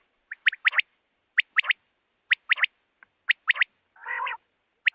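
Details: A quail repeats a quick, liquid three-note call about once a second, with one brief rough, buzzy burst partway through; this call is used to catch quail in the month of Baisakh.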